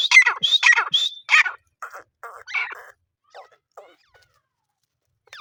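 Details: Grey francolin, known locally as teetar, gives a short run of loud, shrill, squawking notes in the first second and a half, then fainter scattered chirps that trail off into near silence.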